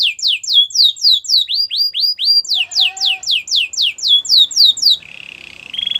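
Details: Belgian canary singing for training a quiet canary: rapid repeated downslurred whistles, a short run of upswept notes, more descending slurs, ending in a low steady buzzy trill.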